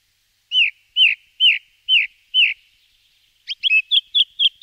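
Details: Song thrush song of two strongly repeated motifs: a clear, downslurred whistle given five times at steady intervals, then a quick, sharp, chirping phrase repeated about six times. No other sounds.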